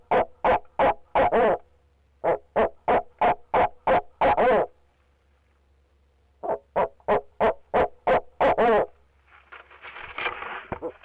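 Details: Male barred owl at a Leesville nest box, calling for 45 minutes on a live camera: three bursts of quick, regular hoots separated by short silences, each run ending in a longer quavering note, followed by rustling.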